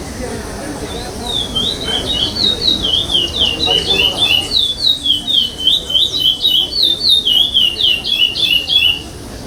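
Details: Chestnut-bellied seed finch singing pardo song without repetition during the 8th state stage of a 2021 contest, where it placed fifth: a long, steady stream of clear whistled notes, rhythmically pulsing for about eight seconds over low crowd chatter.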